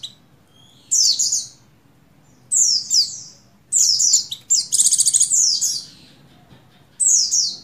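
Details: Breeding female Oriental white-eye calling the male, used to excite buxtoni males, dated 7/3/21: loud, high descending chirps spaced about a second and a half apart, with one fast stuttering trill in the middle.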